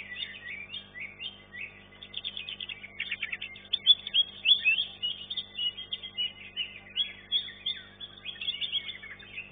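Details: Green leafbird in a singing contest, first class, placing third: a busy, fast stream of chattering, warbling and mimicked notes at high pitch, phrases tumbling with little pause, over a low steady hum.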